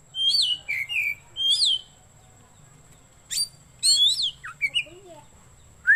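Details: Kacer singing, suited to luring birds or tutoring others at home: bright whistled phrases with sharp upward and downward sweeps in short bursts, a quiet gap, then more rapid slurred notes and a final low whistle.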